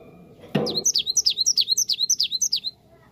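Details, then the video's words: Cinereous tit singing on a lure track to make birds respond: after a sharp thump, about eight bright, rapidly repeated high whistles, each sliding downward, delivered in a steady even rhythm. "Gelatik batu langsung nyaut dengar ini"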